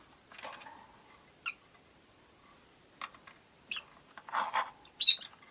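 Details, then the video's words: Caged rosy-faced lovebirds, five birds near a window, make scattered scratchy chirps and short harsh notes, building to a cluster of rapid calls and one piercing high chirp near the end. "Lovebird Chirping Sounds"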